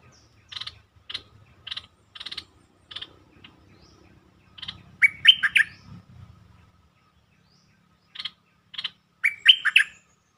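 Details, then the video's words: Bulbul song used as a lure to excite birds: paired dry chirps repeated at intervals, then two bursts of rich, bubbly warbled notes rising and falling, with a faint low rumble in the background during the first half. "เสียงนกดอกแตงEp.147 เปิดให้นกคึก เพลงดีสำนวนน่าฟัง Suara pikat merbah lekir"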